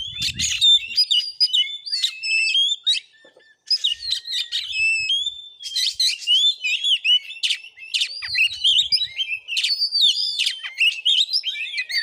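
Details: Oriental magpie-robin in combative song during a vocal test at a village home in Bengkulu, Indonesia: long energetic stream of high whistles, trills and rasping chatter, one brief pause near the start, otherwise continuous.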